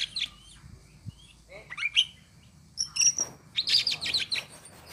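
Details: Lively gacor singing of an Oriental magpie-robin: scattered high whistled notes and slurs, then a burst of dense sharp chirps and trills, somewhat quieter, with faint background noise and a soft knock.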